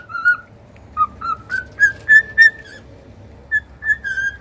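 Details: Cockatiels singing: a string of clear whistled notes, one long slurred note followed by short level whistles repeated roughly three times a second, with brief gaps between phrases.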